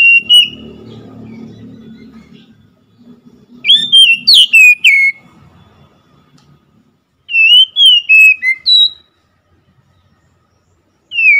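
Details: Oriental magpie-robin singing: short bursts of clear, slurred whistles, some rising and falling in pitch, with a few seconds of quiet between bursts. A low murmur of background noise is heard at the start.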